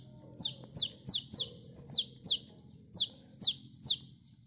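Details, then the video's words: Sunbird song for luring birds: nine sharp, very high notes, each dropping quickly in pitch, delivered in loose pairs and triplets with short pauses; soft low background hum. "Suara burung KOLIBRI gacor ampuh pikat"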